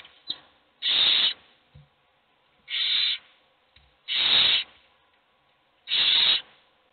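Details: Hungry owl chicks in a nest box beg with four harsh, breathy hisses, each about half a second long and spaced one to two seconds apart, as only one gets fed; soft clicks and rustles between them.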